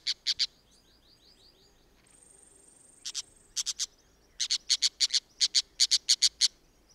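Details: An Orange-chinned Parakeet of a pair in Costa Rica in 2021 gives sharp, shrill chips in quick bursts of two to four, with a faint steady hiss in the background.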